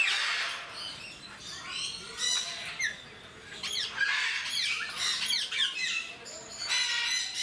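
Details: Timneh African grey parrots, described as skilled mimics, kept at Mysore Zoo. Rasping squawks and brief whistles overlap in irregular bursts, several per second, with sharp shrieks. Their loudness rises and falls.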